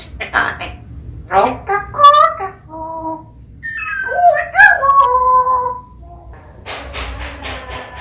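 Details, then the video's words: Talking pet parrot kept indoors, able to mimic phrases such as "Long time no see"; clipped voice-like syllables followed by drawn-out, whistly tones that bend up and down, then a hissy noise burst at the end. "연구대상 앵무새"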